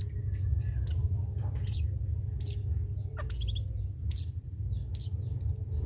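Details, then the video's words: Long-tailed shrike of the trotol kind, singing as a tutor for other birds to copy: thin, high, squeaky ticks spaced almost evenly, roughly one every second, against a low electrical hum. "CENDET COCOK DIBUAT MASTERAN BURUNG CENDET TROTOL"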